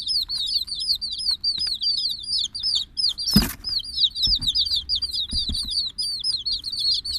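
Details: Chicks of the domestic chicken calling nonstop, shrill falling peeps in dense overlapping series; a single sharp knock or thump cuts in midway over a soft low hum.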